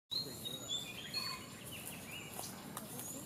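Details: A puff-throated babbler (Pellorneum ruficeps) at The Valley School, Bangalore, calls with short, thin whistled notes at varying high pitches, scattered irregularly over a steady background hiss.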